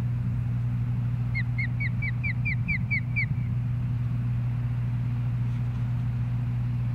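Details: Osprey at its nest in Hellgate Canyon, Missoula, Montana, filmed on a nest cam on April 20, 2016: a quick run of about ten short, sharp downslurred chirps over two seconds, over a steady low mechanical hum.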